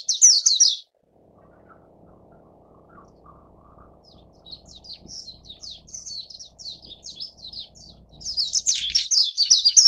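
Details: Warbling white-eye (Zosterops japonicus), begging calls: chicks begging for food as they are fed.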